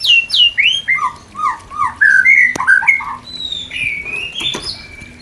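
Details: White-rumped shama mating song for stimulating a new pair that has not yet bred: a series of clear, downslurred and upswept whistles given about four per second, then longer level whistled notes, with a few clicks.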